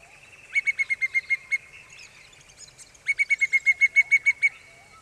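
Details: Pallid cuckoo perched on a branch near Dayboro, South-east Queensland, Australia, in October 2007. Two runs of evenly spaced, clear whistled notes hold a steady pitch, about eight notes then ten. Faint calls from other birds sound behind.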